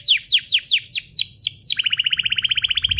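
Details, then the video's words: Canary song used to set young canaries singing; about eight descending whistled sweeps in a row, then a fast, even trill of rapidly repeated notes. "Kompilasi DUO GACOR, cocok untuk pancingan kenari biar gacor, masteran kenari paud"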